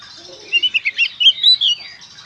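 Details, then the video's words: Gacor konslet song of an Oriental magpie-robin, recorded to help trigger singing in others of its kind. About eight bright chirped and whistled notes in quick succession, roughly evenly spaced, in a short energetic phrase. "suara burung kacer gacor konslet"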